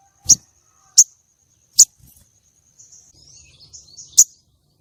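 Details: Female common iora calling as a lure to trap and arouse breeding urge in male contest birds: sharp, very high chirps roughly every three-quarters of a second, with soft twittering notes in between.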